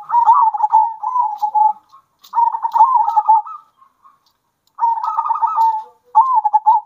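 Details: Zebra dove song used as a lure to provoke other doves into singing: four bursts of rapid, staccato cooing, mid-pitched and bubbling, each lasting one to two seconds with short pauses between.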